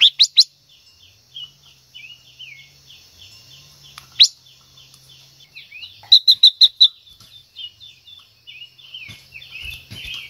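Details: A female silver-eared mesia sings to excite a male. Continuous soft, downward-sliding notes run quickly throughout, with one loud high note and a mid-clip burst of about six rapid, bright notes.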